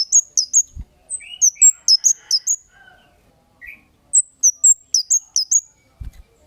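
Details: Kemade lure calls meant to get other birds answering: rapid strings of very high, sharp chirps, some lower slurred notes mixed in, and a soft knock at the start and near the end.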